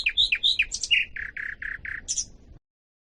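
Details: Common nightingale song, chosen to train canaries and other songbirds: bouncy varied chirps, then five buzzy repeated notes at a steady pace, ending in a high squeaky flourish. Faint low background noise is present.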